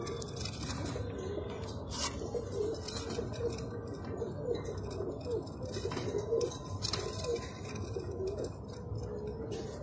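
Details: Bubbling, low coos from a Jaafari pigeon, a tiny pigeon type, in rhythmic phrases every second or so, over constant hum and occasional clicks.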